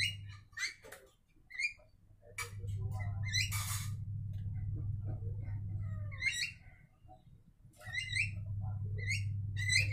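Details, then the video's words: Javan mynas singing to each other in rapid harsh chirps and a loud noisy squawk, with quieter stretches between the bursts, over a low background hum. "Jalak Kebo Saling Berkicau"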